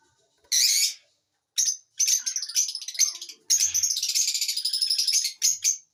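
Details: Chirping lovebird giving a loud rasping opening note, then scratchy stuttered chirps and a long fast chattering sequence of high, buzzy notes, ending with two short squeaks.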